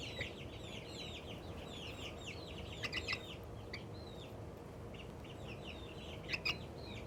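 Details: Little Australorp chicken, excited, giving happy sounds: strings of high, sliding peeps in fast clusters, pausing briefly, then resuming, with a few sharp clicks and a constant low hum behind.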